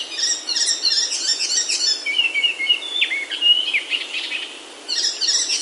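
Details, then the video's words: Birdsong in a Himalayan oak forest, Himachal, India: bursts of rapid high twittering, then a clear whistled phrase with a trill, a short lull, and the twittering resuming. "Himalayan Oaks Alive with Birdsong Near Home"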